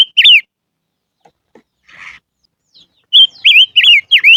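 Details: Silver-eared mesia sings its lure song: two twisting whistles open, a soft rustle follows in a quiet stretch, then a fast series of four looping, dipping whistled notes.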